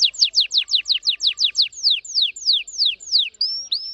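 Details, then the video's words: Orange-red red factor canary singing very fast: a quick series of about twelve descending whistled sweeps, slowing slightly, ending with two level whistled notes. "very fast singing canary"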